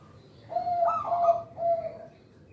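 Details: Zebra dove of local stock, whose voice serves to lure and train young birds: a short coo, a brighter rolling middle section, then a final level note fading out.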